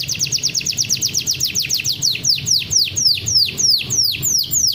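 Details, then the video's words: Champion canary singing a training master song: a rapid series of high, sharply descending whistled notes, about four per second, which slows and broadens into longer swooping notes. A low steady hum sits beneath. "MASTERAN KENARI JUARA"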